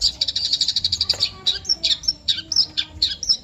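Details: Eurasian tree sparrow calling: a run of short, bright, high chirps repeated in quick succession, followed by sharper separate chirps at irregular intervals, with faint low background hum.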